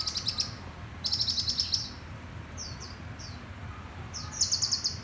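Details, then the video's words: A group of bright red 'Sting' sunbirds gives high, rapid, buzzy trills in bursts of about half a second, with a few thin sliding notes between them over a low background hum. "Dàn Chim Hút Mật"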